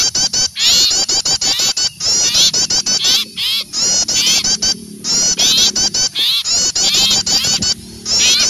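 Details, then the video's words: Small birds in a noisy alarm chorus, frightened at seeing an owl, with shrill, trilling, wavering calls packed closely in repeated bursts and short gaps, and a faint low hum beneath. "Suara pikat burung kecil ribut takut melihat burung hantu"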